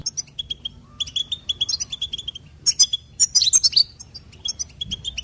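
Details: Goldfinch song of fast, bright twittering and liquid trills in dense phrases, rising into a busier tumbling flurry of high notes near the middle, with little background noise.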